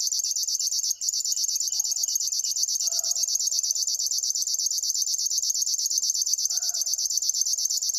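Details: River warbler delivering an unbroken, sewing-machine-like stream of high buzzy pulses at a steady rhythm, with a momentary dropout near the start and faint low bird notes underneath.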